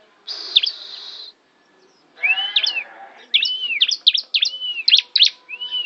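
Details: Tame bar-winged prinia in Kawali, Ciamis, singing actively and used as a song tutor for canaries: a buzzy high trill, then a fast series of arched, rising-then-falling chirps with sharp high clicks.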